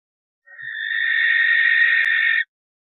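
A barn owl gives a single harsh, hissing screech lasting about two seconds, steady and rasping throughout, against an otherwise quiet background.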